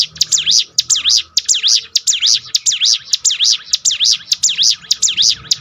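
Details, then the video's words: Bar-winged prinia song meant to rebuild a discouraged bird's confidence: a rapid chain of piercing V-shaped whistled notes, about nine in five seconds, evenly paced with short gaps, over a soft steady tone. "bikin ciblek gunung Ngetop || down mental bangkitkan lagi"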